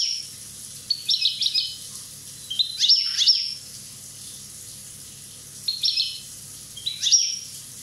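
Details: European goldfinch from Corsica, one year old, delivering liquid twittering song in clustered bursts, with sharp high notes and a short buzzy slur, then quiet gaps; a low background hum runs throughout.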